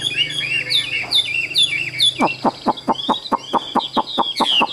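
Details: Caged Chinese hwamei, described as mostly tame, pours out quick rising and falling whistles, then a run of sharp regular clicking notes about three per second, under a faint constant high hum.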